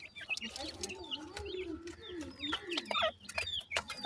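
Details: Wild black partridge chicks calling, a stream of thin high whistled peeps rising and falling, with softer clucking notes and a low murmuring tone beneath.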